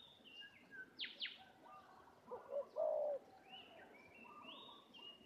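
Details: Spotted dove, a fighting decoy bird, at Sungai Lada, giving a low, soft coo phrase of a few hollow notes near the middle. Higher chirps, whistles and rising buzzy notes from other birds are scattered throughout.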